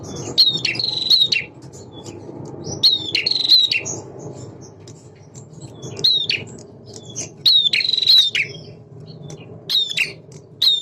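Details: Singing male bar-winged prinia, used to get other birds calling: a series of high, down-slurred notes and scratchy trilled bursts repeated across the recording, over a persistent low rumbling background.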